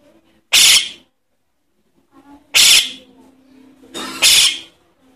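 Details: Begging calls of a young Javan myna, played to attract adult mynas: three short, harsh, noisy rasps, the last one doubled, separated by quiet gaps with a faint steady hum.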